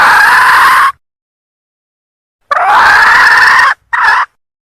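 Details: Female red junglefowl from Sumatra calling to lure males: a harsh, hoarse drawn-out note, then after a silence a longer raspy note and a short clipped one, all loud and close.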